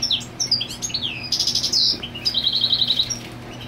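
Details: Goldfinch singing to mark territory with its mate on the nest: quick tinkling twitters, a sustained buzzy note, then a fast even rattle of repeated high chirps; faint low hum beneath.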